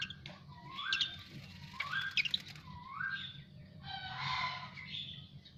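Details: Asian pied starling after bathing, giving clear upward-sweeping whistles roughly once a second, mixed with high squeaky notes, then a harsh, noisy, grating burst near the end over a low background hum.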